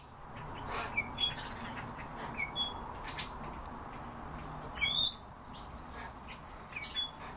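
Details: European bee-eaters calling: several short, liquid, rolling notes from more than one bird, scattered irregularly, some louder and nearer, over a steady broad background hiss.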